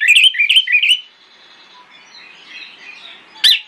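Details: Orange-headed thrush singing in the morning to coax replies from other thrushes: three quick looping whistled notes, a fading quiet warble, and one loud sharp note near the end.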